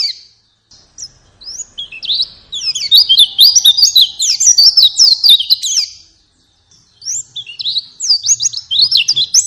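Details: Lure track of a white-eye in full song to trigger a pet bird: two long bursts of rapid, high-pitched twittering and sliding whistles separated by a brief silence, with faint chirps at the start.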